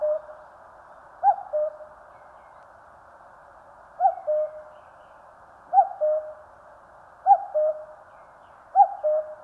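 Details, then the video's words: A common cuckoo in Korean mountain terrain sings its familiar cuckoo five times, pauses lengthening and shortening between calls, each a higher note dropping to a lower, longer tone. "청량한 뻐꾸기 울음 소리. Cuckoo chirping in the mountains."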